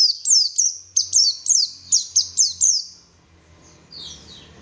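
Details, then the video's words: High, piercing white-eye song meant to coax birds into singing: a rapid run of about ten down-slurred whistles, nearly three a second, then a fading descending twitter and quieter notes. "PANCINGAN BURUNG PLECI SUPAYA GACOR"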